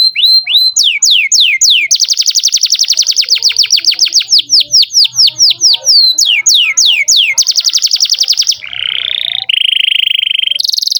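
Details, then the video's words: Loud canary song played to teach young canaries: repeated falling whistled sweeps, a dense rattling trill, more sweeps, then lower harsh rolled notes and a high steady buzz. "Pancingan kenari gacor buat kenari paud"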